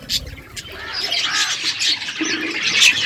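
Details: Morning budgies giving bright, high chirps and warbled notes that build in a steady stream of chatter, opening with a few soft low thumps.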